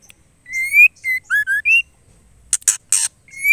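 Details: Calling female white-rumped shama gives a clear rising whistle, a short steady note, two low slurred whistles and a high upslurred note, then three harsh rasping chacks and the start of another whistle.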